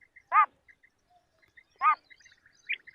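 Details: A female Common Quail calls in the rain, giving two short, hoarse, nasal notes about one and a half seconds apart, over faint high chirps from other small birds.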